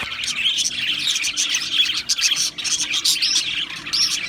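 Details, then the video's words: Australian parrots chirping together: a dense, continuous chatter of high, quick twittering notes and short warbles overlapping without pause, with several birds calling at once and no other clear sounds. "Beautiful Australian Parrots Chirping sounds beautiful Parrots Sounds"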